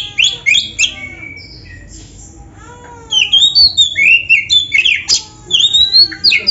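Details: Caged Oriental magpie-robin singing hard, its song laced with imitations, used to spur other magpie-robins into singing. Harsh chattering notes open, a quiet lull follows, then rapid, looping whistled slurs and scratchy chirps return.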